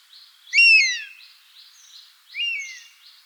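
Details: Bird of prey known as buzzard, recorded in the wild, letting out two descending mewing calls, the first loud and the second softer, over a rhythmic high insect buzz.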